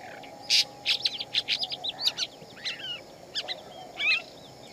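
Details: Shama singing in the wild: a run of short, varied whistled and slurred notes, some rising and falling, delivered in quick separate bursts over a faint steady hum.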